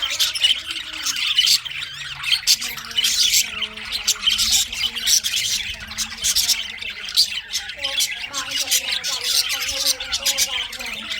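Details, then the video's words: Budgies chirping in winter: continuous dense chatter of many high, scratchy chirps and warbles overlapping without pause, with faint lower tonal sounds running underneath. "winter session Budgies parrot chirping sounds"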